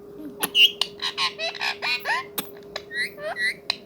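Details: Ringneck parrot talking indoors: a rapid string of short squawky, chirping syllables, many sliding up or down, with a steady low hum underneath.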